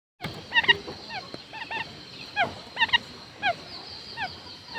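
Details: Decoy quail calling: short, downslurred whistled notes with bright overtones, given singly or in quick pairs at irregular intervals over a steady background hiss.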